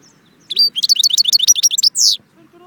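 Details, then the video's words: European goldfinch song recorded at Jbel Wahch, Constantine, Algeria: a brisk burst of high, tinkling twittered notes lasting about a second and a half, ending in a buzzy downslurred note over a faint low background hum. "chardon chant Constantine jbel wahch"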